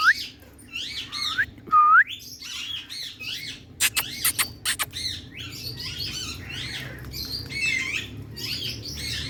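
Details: Indian ringneck parrot, a pet, in a happy mood: a series of rising whistled notes followed by a dense run of chattering, squawky babble with a few sharp clicks.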